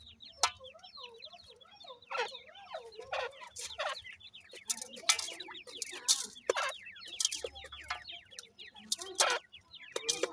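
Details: Captive grey francolin (Teetar) chicks kept in housing, calling as a group: a dense stream of high, thin peeps, each sliding downward, overlapping constantly, broken by sharp loud clicks and knocks.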